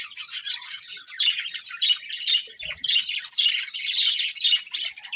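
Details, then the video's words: Budgerigar chatter of rapid, scratchy warbles and short squawky chirps in uneven bursts, mid-high and busy, with a soft low bump near the middle. "Beautiful Budgies Chirping Sounds"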